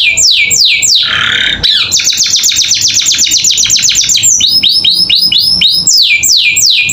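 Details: Canary tutor song for young caged birds: steep falling whistles, a harsh buzzy burst, a very fast trill of repeated notes, then a string of arched chirps.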